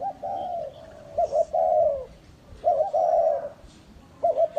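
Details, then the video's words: Spotted dove used as a decoy, giving a full lure call sequence: mid-pitched hoarse coos in short two- and three-note phrases, each ending in a longer drawn-out coo, repeated about every one and a half seconds. "chim cu mồi hay đủ bài"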